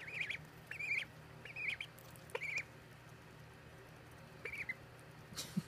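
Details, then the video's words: Baby ducks give high, slightly wavering peeps in short bursts, about five calls scattered across the stretch, with a constant low hum underneath. "The Baby Ducky Peeps"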